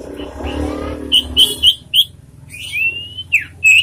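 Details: Sirtu kept in a cage and trained for loud, clear song gives a run of four sharp high notes, a long rising whistle, then a downslurred note and one more high chirp, over faint background murmur.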